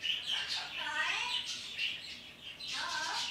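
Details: Pet parrot talking to the birds outside in the morning: a few harmonic, speech-like notes mixed with bright, breathy chirps and squeaky bursts, fairly steady in loudness over a quiet background.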